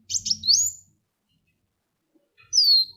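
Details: Sunbird singing, used to lure other birds to sing: a short stuttered chirp that rises into a whistle, then after a pause a single strong falling whistle. Faint low rumble at the start.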